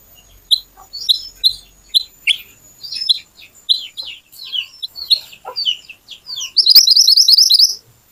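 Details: Little pied flycatcher recording meant as a lure to make other birds sing: a run of short, sharp, high chirps about every half second, ending in a rapid, high, buzzy trill lasting about a second.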